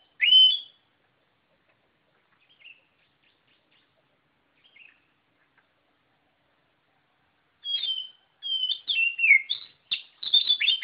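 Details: Oriental magpie-robin in full, energetic song: a loud whistled phrase opens, then near-silence with two faint notes, before a burst of varied high whistles and sharp chattering notes in the final three seconds.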